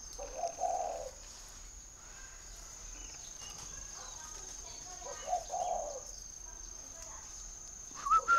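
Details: Captive spotted dove in Ba Vì district, Hanoi, Vietnam, delivering two soft, low cooing phrases separated by a long pause, with a faint high steady hiss, light rustling and a brief sharp sound at the end.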